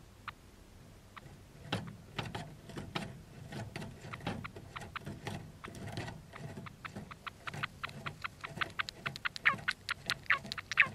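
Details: Java sparrows during duet dancing followed by mounting and copulation, making dry clicks and taps that quicken and grow louder, with a few thin, high chirps slipping in toward the end.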